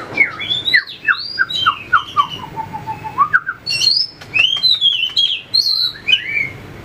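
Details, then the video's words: White-rumped shama (chòe lửa, murai batu) in fighting-song training, flicking its tail: a loud, varied run of swooping whistles and rich warbled phrases, dipping into a lower descending series midway before climbing back to high, sweeping notes. "luyện chòe lửa hót đấu,đập đuôi chạy cầu | murai batu"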